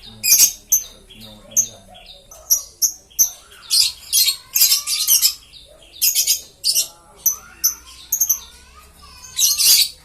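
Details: Green lovebirds calling: loud, shrill, high chirps and squeaks in short bursts, some rapid and stuttering, separated by brief pauses.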